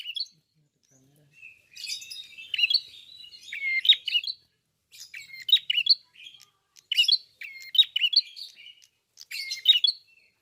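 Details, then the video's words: Red-fronted prinia in full song, beak open: a drawn-out buzzy phrase, then several quick bursts of high chirps and twitters with brief whistled slurs, roughly one burst per second. "BUKA PARUH FULL GACOR BURUNG PRENJAK KEPALA MERAH/KLAWU"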